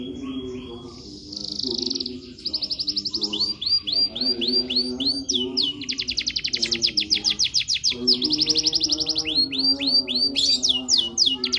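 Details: Green canary with fine posture, a long-duration master song for tutoring: rapid buzzy trills of repeated high notes, some runs of quick upslurred whistles and sweeping chirps, over a low harmonic hum in the background.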